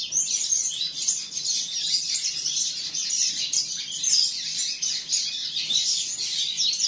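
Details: Continuous high warbling from a juvenile canary: rapid, rolling trills blend into each other and hold steady in loudness, with only a slight dip now and then, over a quiet electric hum.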